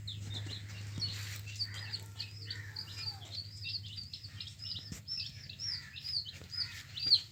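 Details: Several yellow hen chicks peeping together, a continuous stream of short high falling cheeps over low steady hum, with a sharp click near five seconds.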